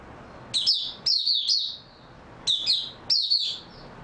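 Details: Oriental white-eye, 3 March 2022, after a good sleep: short high warbled phrases of two or three quick chirps, then a pause and two more bursts.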